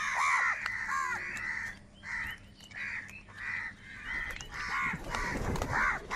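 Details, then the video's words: Repeated harsh caws from crows shown fighting for food, a steady series of short hoarse notes roughly every half second to second, with a thump of low noise near the end. "Crow Sound of Kaka | Clear Crystal Crow Bird Crowing Sounds | Crow Bird live Crowing Sounds"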